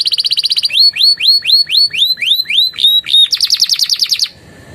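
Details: Canary tutor song mixing in bar-winged prinia and Javan tesia phrases: a quick rattling trill, then about ten clear upward-curving whistles in a row, a final harsh rapid trill and a sudden stop.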